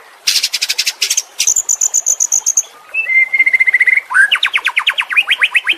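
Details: White-rumped shama song from training audio for caged birds: a varied phrase of rapid buzzy pulse trains and a high whistled trill, then a level chattering note series and a fast run of repeated sharp rising notes.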